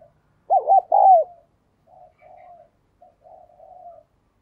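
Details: Cooing spotted dove: a strong phrase of two brief hooked notes and one sustained coo, trailed by three or four faint low murmurs in a quiet setting.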